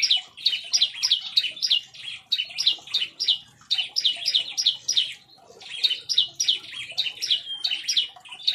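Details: Bar-winged prinia in an aviary, singing fiercely: rapid volleys of high, clipped notes in several runs, with one short pause after five seconds.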